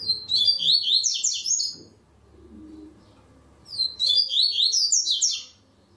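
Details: A double-collared seedeater in an online singing contest gives two fast whistled phrases about two seconds apart, each a tumble of rising and falling slurred notes; low background hum.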